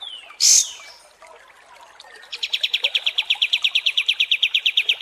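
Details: Pied Triller (kapas tembak) heard in long-running masteran audio for contest birds: one loud sharp high note, quiet chirps, then an even, rapid trill of clipped repeated notes lasting several seconds.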